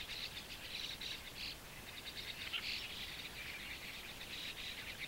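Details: Hungry pale-plumaged fledglings of white-cheeked starling begging for insects from adults at a shallow waterhole in Japan, early June 2015: harsh, scratchy, buzzing rasps repeated in rapid overlapping bursts.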